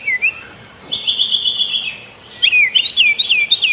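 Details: White-rumped shama song used as a master for training birds, river in background: a short dipping whistle, a sustained buzzy trill about one second long, then a run of fast looping whistled notes.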